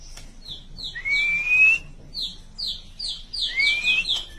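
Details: White-rumped shama chirping in a varied style: a long rising whistled slur repeated twice, between bursts of short descending chirps, with a faint low hum beneath.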